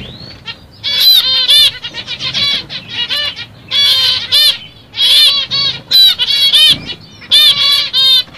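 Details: CFW black-cheeked zebra finch (pastel mutation) song: short nasal, buzzy beeping notes in quick bursts of three to six, repeated about every second, with brief pauses between phrases.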